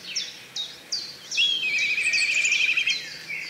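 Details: Black kite calling with a long, trembling high whistle that rises slightly and then holds steady for over a second, after a series of brief descending chirps repeated about every third of a second from other birds.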